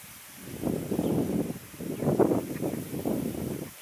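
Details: Grey heron at Sudzhuk Lagoon, Novorossiysk, on 7 September 2019, gives harsh, low, grating croaks in about four rough bursts over four seconds, with faint rustling behind.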